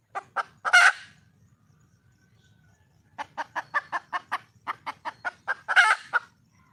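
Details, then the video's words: A red junglefowl hen calls for a male: a few clucks and a raspy squawk, about two seconds of quiet, then a long rhythmic string of about fourteen clucks ending in a loud squawk. "le bruit d'une poule sauvage,เสียงไก่ป่าร้องหาถู่หาตัวผู้,ສຽງໄກ່ປ່າຮ້ອງຫາຄູ່ຮັກ, poj qaib qus see"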